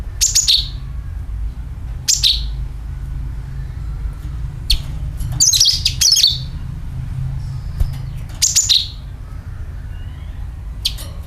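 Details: Sooty-headed bulbul call for luring birds: scattered brief bursts of piercing chirps that drop in pitch, separated by gaps of one to two seconds, one fuller twittering burst midway, over a low rumble.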